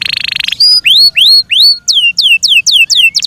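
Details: Kept Yorkshire canary opens with a brief buzzy trill, then sings loud upward-slurred whistles that turn into steeply falling whistled notes, evenly spaced.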